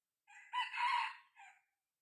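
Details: Decoy red junglefowl cockerel, six months old, tried out to lure wild junglefowl, crows at moderate distance: a faint opening note, a louder drawn-out middle phrase and a short dropping end note, otherwise quiet.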